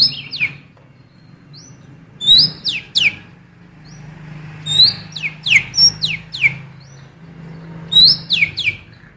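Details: Female oriental magpie-robin phrases from a blue cucak keling, used to lure males: three bursts of rapid downward-sweeping whistles, each burst opening with a bright note, over a low background hum.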